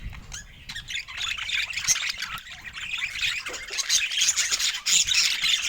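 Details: Budgerigars enjoying fresh food: after a low rumble and quieter start, rapid high chirps build into a loud, fast twittering chorus of several birds.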